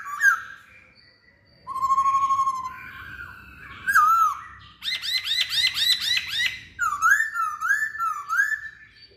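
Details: Masked laughingthrush song, varied and loud: a wavering whistle, a rising slur, a quick run of arched notes repeated about five times, and swooping whistles.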